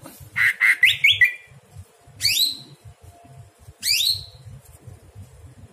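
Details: Greater green leafbird singing at night as training song for other birds: quick chattering notes, then two loud downslurred whistled phrases spaced well apart, with a faint steady low hum beneath.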